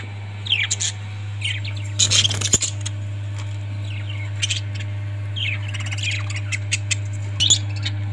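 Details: Pet budgies call with scattered falling squeaks and short twitters, plus a burst of rustling and clicking, over a constant low hum.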